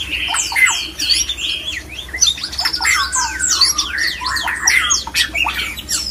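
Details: Mating call of a male white-rumped shama, used to bring other shamas into breeding condition: crowded, energetic song of quick upswept whistles, trills and harsh chattering bursts running without pause over a faint hum.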